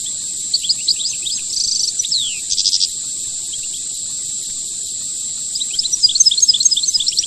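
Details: European goldfinch giving the rare khelwii song: scattered chirps, a buzzy drawn-out note, a falling slur and a rattling trill, then rapid tinkling twitters, with a continuous high-pitched whine behind.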